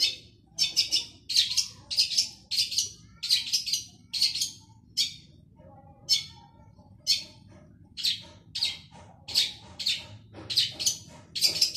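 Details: Vigorous male long-tailed shrike, used to get mute shrikes singing, pours out loud, raspy high chattering notes in fast clusters with short pauses, over a quiet low background.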